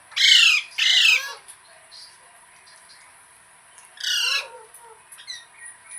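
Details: Parrot, kept as a pet, giving three loud, harsh, buzzy squawks: two back to back at the start, then a pause before a third. Faint chirps follow, and a steady high whine runs throughout.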